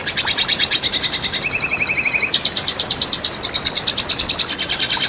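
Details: Red siskin masteran song: fast buzzy pulses, then a lower steady rattling phrase, then another loud burst of rapid high pulses repeated several times a second.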